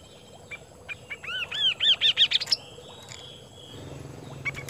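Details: Kaso-kaso bird singing actively, with scattered soft notes leading into a fast series of arched whistles that climb in pitch and tighten into quick chirps, then faint background calls and a low hum.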